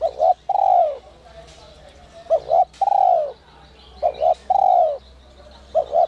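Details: Spotted dove cooing in the whistle-voice style, used to stimulate newly caught doves to coo: mellow low phrases of two quick notes and a longer drawn coo, repeated about every two seconds, with faint other birds behind.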